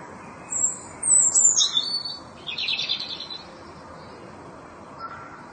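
Korean bush warbler: a high, thin whistle slurring downward, then a quick burst of rapid trilled notes, and a soft lower note after a pause.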